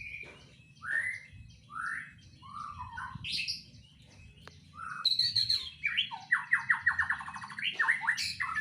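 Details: Caged white-rumped shama in a breeding enclosure delivering a richly varied song full of fill-in phrases: clear slurred whistles, buzzy bursts, then a fast rattling trill of repeated notes.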